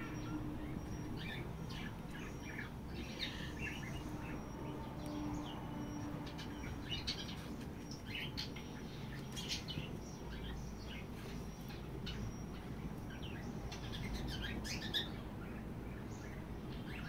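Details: Cockatiel in the morning, giving short, bright chirps and squeaky calls over a steady low background rumble.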